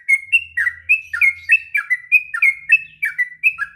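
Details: Sooty-headed bulbul singing a long, continuous ngropel-style song, offered as a master recording for training young birds; liquid whistled notes with quick downward slurs, delivered about three per second in a steady bubbling run, with a faint low hum early on.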